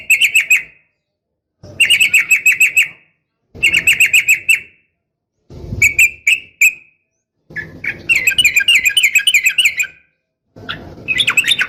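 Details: Female yellow-vented bulbul calling the male, delivered in repeated phrases of about a second, each a quick series of bright chattering notes, separated by short gaps, with some low background noise.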